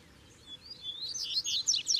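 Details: A rising thin whistle leads into a loud burst of rapid high chirps and trills from a Double-collared seedeater in Brazil, caged bird with a wild one nearby.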